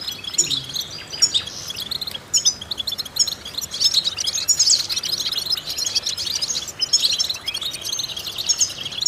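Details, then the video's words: Training song of a European goldfinch, used to stimulate goldfinches: bursts of high, tinkling chatter and short clear whistles, with brief pauses between phrases. "important vocal exercises necessary to stimulate goldfinches"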